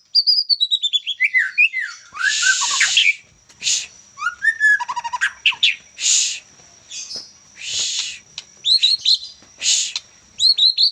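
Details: Juvenile white-rumped shama, Medan type, singing a rich sequence: descending whistled cascade, rasping bursts, rapid trills and repeated upslurred whistles, delivered continuously with short pauses between phrases.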